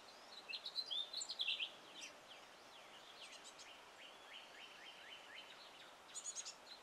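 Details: Male house finch singing in a yard: a quick, bright, warbling burst of high twisting notes at the start, then softer chirps from other wild birds in the background.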